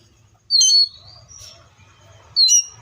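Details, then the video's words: Seychelles magpie-robin song: two loud, sharp whistled notes about two seconds apart, each a bright high burst sliding into a short falling whistle, with faint softer whistles and a low hum between them. "COPSYCHUS SECHELLARUM BIRDS SOUNDS LIKE IN NATURE LOUD CLEAR SOUNDS"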